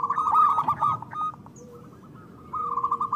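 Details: Local zebra dove used as a lure for trapping: a quick rolling trill of coos, a fading tail, a near-silent gap, then another rapid trilled burst.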